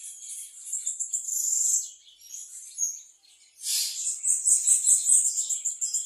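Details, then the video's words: Singing bananaquit or plumbeous seedeater: bursts of high, shrill twittering, a brief pause, then a loud sharp note leading into a fast, bright, pulsing trill. "sibite e patativa cantando"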